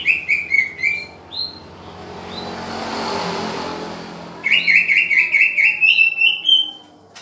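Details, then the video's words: Green leafbird, cucak ijo, during pairing: bright whistled notes stepping down, then after a loud rushing noise a long rapid series of clear whistled notes repeated quickly, rising slightly at the end. "Cara Menjodohkan cucak ijo"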